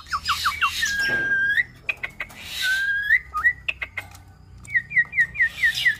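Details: A cross-bred starling (Nias hill myna x Asian pied starling) delivers tutor song: quick falling whistles, long level whistled notes, sharp clicks, and a closing row of six short downslurred whistles at a steady pace.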